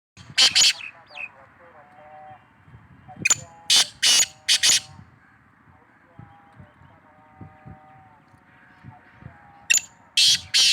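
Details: Black francolin, known locally as kala tetar, calling: short harsh grating bursts in small groups, two near the start, three around four seconds and two near the end, with faint background hum and distant chirps between.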